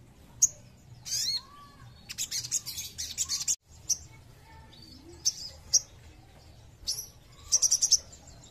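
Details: Crested Jay (sogon) singing as a lure to provoke rival birds: isolated piercing high notes, a dense chattering burst, more single calls, and a fast ringing trill at the end.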